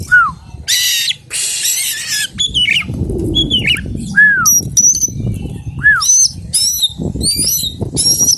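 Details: Song of a wild Oriental magpie-robin, mixing loud buzzy rattles with clear whistled downslurs and high wavering notes, delivered in separate phrases, accompanied by low rustling and shuffling sounds.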